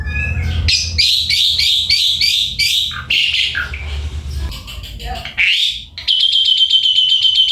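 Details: Black-collared starling singing in a string of harsh, buzzy pulses roughly every half second, then a fast, rattling trill of repeated notes, over low background rumble.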